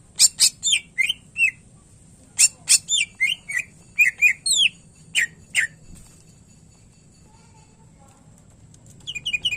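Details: Greater green leafbird, a cucak ijo kept as a lively songbird, singing bursts of sharp clicks and whistled notes sliding down to about mid pitch, in phrases separated by short pauses, with a steady faint low hum beneath.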